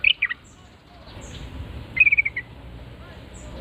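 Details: Yellow-vented Bulbul (trucukan) responding after hearing a lure call: a brief cluster of bright chirps, then a short run of quick descending notes, against a quiet hiss.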